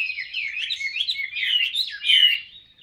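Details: Caged Chinese hwamei ('ngũ trường cao cầu') pouring out a continuous fast stream of slurred, warbled whistles that ends with one louder descending phrase.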